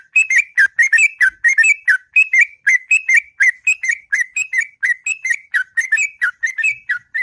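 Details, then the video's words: Sooty-headed bulbul singing in the morning in the long, melodious ngropel style: a steady run of short, fluty whistled notes, each dipping and rising, delivered about one every third of a second without pause. "Burung Trucuk Ngropel Panjang & Merdu Di Waktu Pagi"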